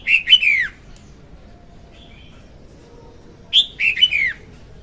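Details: Hen red-whiskered bulbul song played to lure birds into traps: two short phrases of liquid, falling, slurred whistles about three seconds apart, with faint quiet notes between them.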